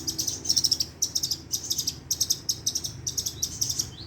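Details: Long-tailed shrike from Madura with a rapid-fire song borrowing sparrow and lovebird notes, meant as a master for training caged shrikes; very high, dry chip series delivered in quick rolling bursts about twice a second.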